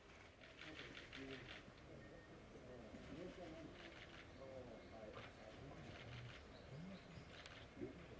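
Ural owl chick giving hoarse, hissing rasps in short bursts every second or two, over low background murmuring and faint cooing.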